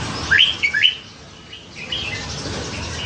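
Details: Red-whiskered bulbul in captivity, caught young beside a canal and now singing many varied tunes; one lively phrase of three upslurred whistles in quick succession, then softer faint notes over background hiss.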